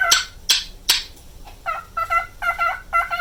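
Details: Nine-year-old male pet cockatiel indoors, singing the repetitive looping song it performs daily in a wavering vibrato. Three sharp broadband bursts open, then harmonic warbled notes pulse about twice per second.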